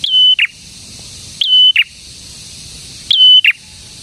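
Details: Prinia song meant to excite other prinias: three loud, high, metallic phrases about 1.6 seconds apart, each holding a level tone before a short buzzy end, low hum beneath.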